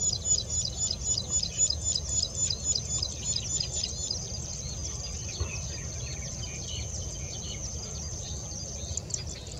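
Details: Plain prinia song from 11 April 2020; a fast run of high buzzy notes for the first few seconds, then quieter, with a steady high whine and low background rumble.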